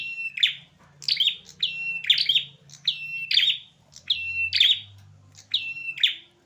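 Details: Fighting male prinias without mercy: rapid series of short chirping bursts, each a bright note dropping into a steady buzzy trill, repeated roughly every half second; faint low hum underneath.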